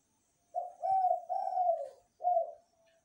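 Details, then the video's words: Zebra dove cooing steadily through the night: one soft, rolling phrase of four low notes, the middle two long and slightly descending, the last short and separated by a brief gap, in a quiet setting. "Derkukur gacor sepanjang malam hari"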